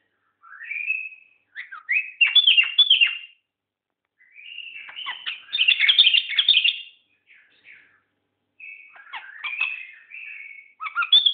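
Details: A rarely found seven-year-old white-eared bulbul gives three bubbly bursts of mid-pitched whistles and chattering notes, each lasting two to three seconds, with brief pauses between them.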